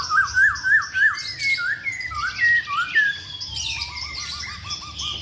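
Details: Masked laughingthrush in full song: wavering, looping whistled phrases at a middle pitch, then a quick run of short, even, clipped notes, with thin high chirps above.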